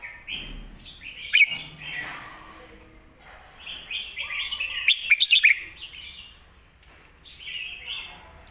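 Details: Red-whiskered bulbul giving a clear master song for young birds to learn: a lively string of warbled notes in two main bouts, with a rapid cluster of clicks in the middle and a softer phrase at the close.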